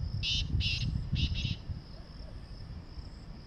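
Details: Wild black francolin calling in jungle: four harsh, grating bursts in quick succession within about a second and a half, the first pair slightly separated, over a steady low rumble and a thin high background hiss.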